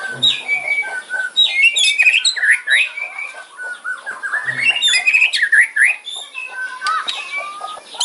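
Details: White-rumped shama giving a loud, aggressive kretekan fighting song with sharp fills meant to provoke rivals: a dense run of rapid chattering, whistled slurs and crackling notes, with brief low thumps near the start and middle.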